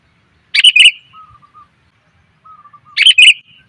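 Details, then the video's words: Female sooty-headed bulbul calling to attract males: two clear chattering phrases about two and a half seconds apart, each followed by soft, lower whistled notes. "suara pikat burung kutilang betina,TOP bangat memanggil pejantan"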